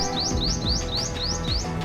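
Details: Olive-backed sunbird (Cinnyris jugularis), small but loud, gives a quick series of six high, thin upslurred notes, about three per second, over soft background music.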